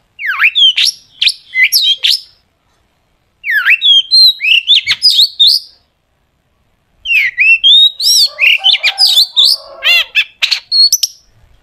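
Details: Long-tailed shrike in full, sharp 'tembakan'-filled song, used to prompt shrikes to sing: three bursts of rapid downslurred whistles and twangy notes separated by short silences, the last bout adding harsher chatter.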